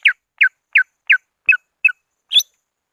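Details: Greater green leafbird calling to rivals, a lure recording: seven crisp downward-slurred whistled notes spaced evenly about every third of a second, the last one higher and buzzier.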